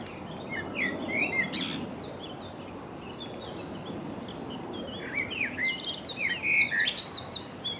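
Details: A Common blackbird sings from a sawn-off branch stump beside the Long Water: short, varied whistled phrases that break into fast, high twittering toward the end, over a steady low background rumble.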